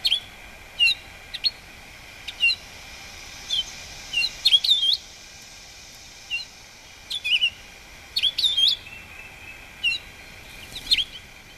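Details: A male house finch sings a rambling warble of bright chirps and slurred notes, clustered in quick bursts with short pauses; a steady background hum persists.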